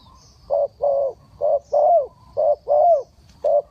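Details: Rapid cooing from a spotted dove kept as a decoy for bird trapping: mellow low notes alternating short and long, some slightly falling at the end, about seven notes in under four seconds.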